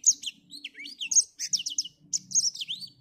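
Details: Black-throated finch singing energetically on a cloudy morning: a fast, continuous twitter of high, sliding whistles and rapid chirps, barely pausing across three seconds, with a faint low hum beneath.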